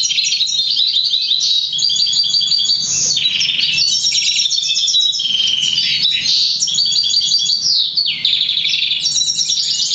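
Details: Crested, 50% variegated black siskin × Russian canary mule, bred August 2009 and trained to sing European goldfinch notes, sings a loud, continuous song of rapid trills, buzzy rattles and bright chips, high-pitched and varied, with no other sounds.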